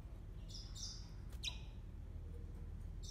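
A yellow-fronted canary gives a few bright, high, slurred notes in quick bursts over about three seconds, above a steady low hum.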